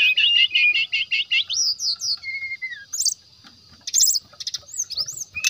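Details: Provoking song of a brown-chested jungle flycatcher for drawing rival birds: a rapid repeated trill of about a dozen notes, then whistled upslurs and a long falling whistle, with sporadic sharp buzzy bursts.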